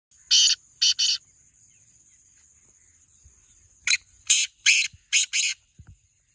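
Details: Black francolin giving harsh, grating call notes: two rasping bursts, a three-second pause, then a rhythmic phrase of five scratchy notes, with a faint thud at the end.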